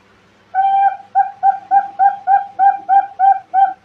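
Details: Zebra dove calling as a trapping lure: a longer opening coo, then a steady series of short, clear, mid-pitched notes repeated about three times a second.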